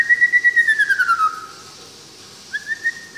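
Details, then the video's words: White-rumped shama from Tangse, Aceh, singing a long clear whistle that slides slowly downward, then after a pause a shorter rising whistled phrase, with a soft background hiss. "Suara Asli Murai Batu Tangse Aceh"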